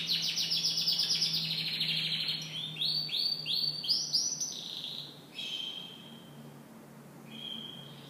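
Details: Canary singing in the morning: fast high downward sweeps in a dense series, then rounder rolling trills, fading into softer short trilled phrases; faint low hum in the background.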